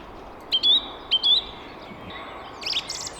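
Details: A song thrush singing in spring in the UK, filmed from a hide, gives a short, clear whistled phrase twice in quick succession, then a higher, more complex twittering phrase, over faint background hiss.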